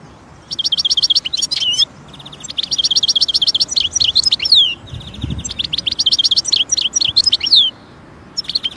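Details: European goldfinch in nature singing almost continuously: rippling trills of repeated high notes woven with tinkling twitters, in three long phrases with short pauses between them.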